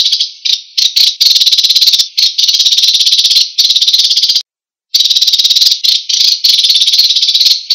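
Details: An American sparrow, a bird of the Americas, gives loud, long, high, buzzy trills of very rapid pulses, broken by brief pauses and one abrupt cut of silence.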